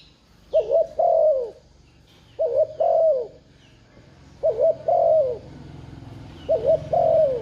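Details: Spotted dove giving its cooing to stimulate a decoy, four phrases roughly two seconds apart, each a quick double coo then a long falling one, over a low steady hum.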